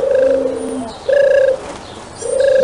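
A dove gives three smooth, hollow, level cooing notes, each about half a second long and separated by short pauses.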